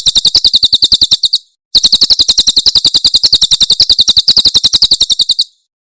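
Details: Very clear Javan prinia song, the tembakan type from Cililin, meant to teach cage birds: a short high buzzy trill, a brief pause, then a longer rapid trill of even sharp notes.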